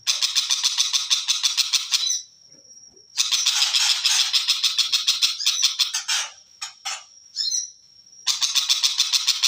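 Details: {'caption': 'Long-tailed shrike song made of extended rasping chatter, evenly pulsed and loud. A high steady whistle and brief sharp notes fill the gaps.'}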